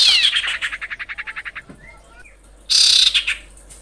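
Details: A female common iora calls for the male with a rapid, rhythmic chatter of about fourteen pulsed notes that gradually slows and softens. A fresh harsh, buzzy burst follows after a short pause.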